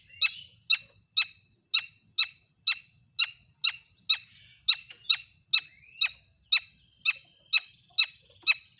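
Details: Long-tailed shrike lure song for prompting other shrikes to sing: a long, steady series of harsh, rasping notes about two per second, nearly twenty in all.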